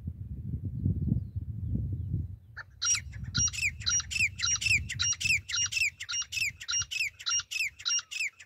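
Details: Female grey francolin calling, a sound used to lure francolins for hunting: after low rumbling noise, loud grating notes begin and repeat roughly twice per second in an even, insistent series to the end.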